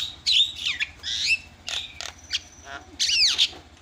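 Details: Javan myna lure sound meant to set other mynas calling: harsh slurred squawks and buzzy, chattering notes, irregular and loud, with a faint low hum.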